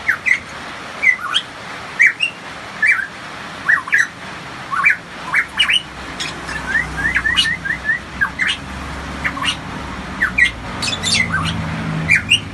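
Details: A hooded pitohui (variable pitohui), endemic to Papua and kept as a cage songbird, gives loud, short, slurred whistles about every second, mixed with higher squeaky notes. A low engine-like rumble comes in near the end.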